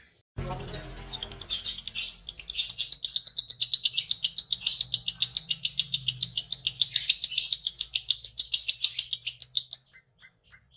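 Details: Long, sustained ngekek from a lovebird singing with its beak open: a fast, continuous high chattering trill lasting several seconds, ending in separate chirps, with a low hum and faint background noise beneath.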